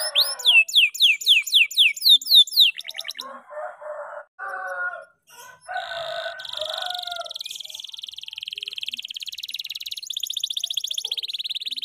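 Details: Canary of the F2YS line singing for training other birds: quick falling whistles at the start, then broken rattling phrases, brief pauses, and a long steady high buzzing trill to the end.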